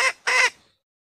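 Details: Female red junglefowl call, used to lure males closer or to make them crow: two harsh, nasal clucks in quick succession, the second longer and louder, then silence.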